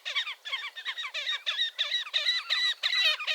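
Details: Slavonian grebe recorded in the wild at Gavieze, Latvia, in May 2024, giving a steady run of nasal, squealing double notes repeated about three times per second, each note bending down then up.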